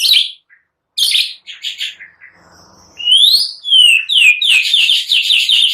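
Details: Singing white-rumped shama used as a lure to get other birds singing, its song said to be full of cililin and prenjak phrases. Harsh chattering notes, a short pause, then bright rising and falling whistles ending in fast repeated notes.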